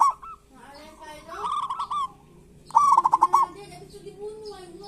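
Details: Local zebra doves singing kerot and bekur phrases as a lure for quiet doves. A wavering trilled coo is followed by a loud stuttering rolled one, with soft low cooing in the background.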